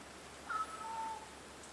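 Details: Meowing crow in the woods of McDonald Beach Park, Richmond, British Columbia, Canada; a single clear mew that steps from a higher tone down to a longer, lower drawn-out note against quiet background.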